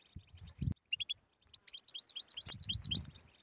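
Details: European goldfinch song for encouraging silent birds to sing: scattered short chirps build into a fast run of high twittering and buzzy notes, with a few dull thuds early on.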